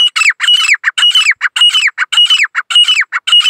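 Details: Two female and one male grey francolins calling together in a fast chorus: harsh, ringing notes repeated almost twice a second with hardly a pause, overlapping bursts, and clear high tonal whistles woven through the rasping calls.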